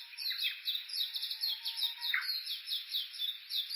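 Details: Japanese bush warblers recorded walking Uguisu Road near Mt. Yakushi, Kuga, Suo-Oshima, Japan, using an Olympus Voice-Trek V-82: continuous quick high repeated notes with one brief downward-swooping note in the middle.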